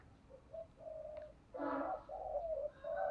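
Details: Spotted dove decoy cooing to draw in wild birds: a series of low, hollow coo notes, one longer louder phrase near the middle, over steady hiss and low rumbling background noise.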